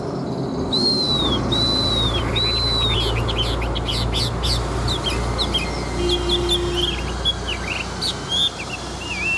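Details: Large wild-caught Chinese hwamei fighting bird with a forest-style voice. Long arched whistles are repeated about once a second, followed by scattered sharp notes and brief twisting phrases over a steady low hum.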